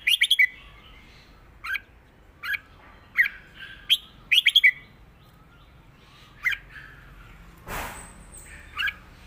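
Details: Red-whiskered bulbul in southern Thai 'mae bot' and 'rik' song, giving liquid chirps and a fast four-note burst, followed by a brief rustling thump and a few more whistled notes.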